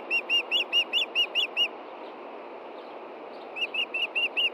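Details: At a Montana osprey nest with chicks on a June evening, an Osprey seeking its missing fish gives nine quick, slightly rising whistled chirps, falls silent, then resumes with five more; steady hiss underneath.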